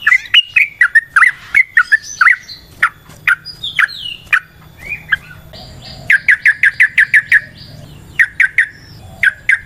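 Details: Yellow-vented bulbul singing in natural surroundings: sharp, bright chirps and short warbled phrases, speeding into a quick series of evenly repeated clipped notes near the end.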